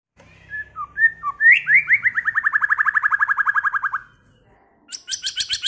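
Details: White-rumped shama singing a many-voiced song: a few short whistled notes, then a fast, even trill of about twenty descending slurred notes lasting over two seconds, ending with a burst of high, harsh, rapidly repeated notes.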